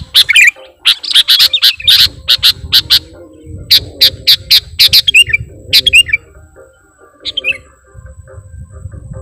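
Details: Actively singing sooty-headed bulbul decoy with a song full of imitated material: a fast volley of sharp, scratchy notes, then scattered shorter chirps and a few clear slurred notes, with a low rumble underneath.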